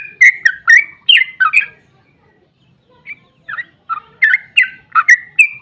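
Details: Energetic sooty-headed bulbul song used to lure other bulbuls into answering: a quick cluster of gurgling whistles, a brief gap, then a fresh series of bright, slurred notes.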